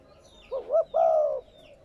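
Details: Spotted dove coo, a recording used to stimulate newly caught captive doves to coo: two short rising notes followed by one long, steady, mellow drawn-out note, with faint high chirps of small birds behind.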